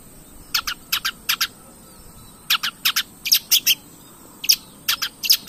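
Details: Long-tailed shrike recording played as bait to stir other shrikes to sing, made of short, harsh, raspy chacks in groups of two or three, separated by brief silences, over a faint constant high-pitched hiss.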